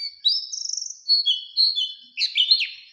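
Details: Oriental white-eye song used as a lure to provoke other white-eyes into singing. Thin sustained whistles, a fast trill, and level piping notes, ending in a jumbled high twitter.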